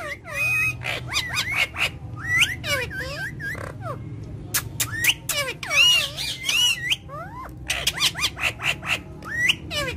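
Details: Indian ringneck parakeet in India giving dense, harsh squawks and looping whistled notes that rise and fall, packed into rapid bursts with brief pauses, over a low background hum.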